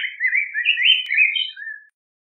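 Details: A yellow grosbeak delivers a flowing, sweet warble, smoothly linked whistled notes rising and dipping for nearly two seconds before a short falling note closes the phrase; otherwise quiet.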